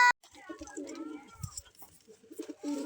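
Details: A pigeon chick gives low, soft, throaty calls while a person talks in a small room.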